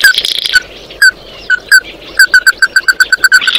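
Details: Oriental white-eye song used to call the flock: a few spaced, clipped notes, then a quickening, even series of short notes, with a buzzy, hissing noise at the start and the end.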